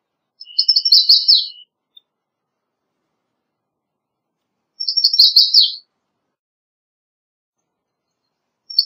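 American Redstart singing high, thin, rapid phrases of about a second each, with an explosive ending, repeated every four seconds against silence.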